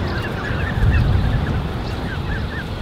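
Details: A crèche of about 34 Canada goose goslings with two adults, 13 June 2015, gives thin, high, rising peeps, overlapping every fraction of a second, over a steady low rumble of wind or handling noise.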